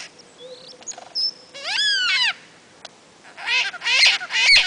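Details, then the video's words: Male lyrebird singing hard from his display mound among ferns at Sherbrooke in the Dandenongs, Victoria, Australia, in April: a varied run of whistles, a loud slurred descending harmonic sweep, and bursts of rich ringing notes, with background hiss. "Lyrebird Sherbrooke April 2008"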